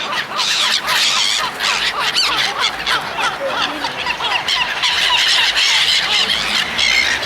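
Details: Seagulls being fed by people, rapid, busy squawks and short downslurred cries tumbling over one another in a steady din.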